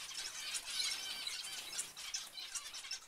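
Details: Zebra finch group producing a steady stream of brief nasal beeps, roughly two to three per second, overlapping into constant high chatter.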